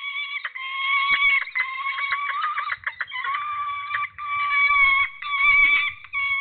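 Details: Peregrine falcon chick at a nest in Trzebież forest district, Poland, begging during a food delivery by the adult. Loud, harsh, continuous wailing screams pulse and break into rapid stuttering bursts, with faint rustling below.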